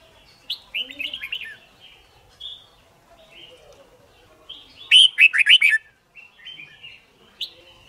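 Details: Competition singing from a red-whiskered bulbul, used to train birds to learn song: quick warbled notes throughout, peaking in a loud, rapid burst of bright chirps, with quieter birdsong around it.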